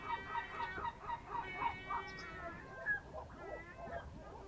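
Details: Birds of Amvrakikos National Park heard from an Ionian Sea fishing harbour, Greece, early morning of 27 March 2026 at 07:40; rapid harmonic honking calls run for two seconds, followed by scattered looser notes.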